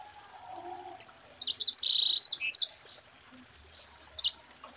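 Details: Mozambique canary, called sanger, singing in rolling style, used as a lure and tutor song for other birds: short bursts of high chirps and buzzy notes around a brief trill, then one isolated note after a pause.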